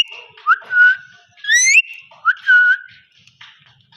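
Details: Parrot giving smooth whistled phrases: a rising note sliding into a long level tone, a bright upswept harmonic call, then a repeat of the rising-and-level whistle.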